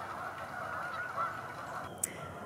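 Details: A distant flock of geese on a lake behind a library in winter honks steadily, their overlapping nasal calls blending into a continuous chorus, with one sharp click near the end.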